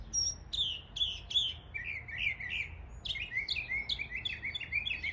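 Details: A Northern Mockingbird (Mimus polyglottos) in an East Tennessee neighbourhood imitates local birds in quick mimicked phrases: a high whistle, repeated chips, then a run of bright slurred notes, each phrase changing.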